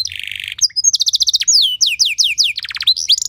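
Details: Canary song used as training material, with a fancy melodic style meant to spur other canaries into singing. A buzzy trill leads into rapid repeated chirps, then a run of high downslurred whistles and fast descending trills.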